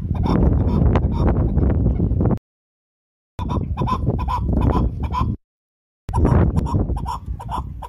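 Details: Chukar partridge giving loud, rapid clucking calls in bursts, harsh pulsed notes repeated about three times a second with breaks of silence between, over heavy low rumbling background noise.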